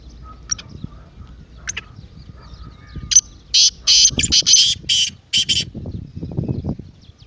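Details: Lively partridge call meant to excite a quiet partridge into calling. A rapid, rasping series of loud, grating notes runs in the middle. Low rumbling noises and scattered faint chirps sound around it.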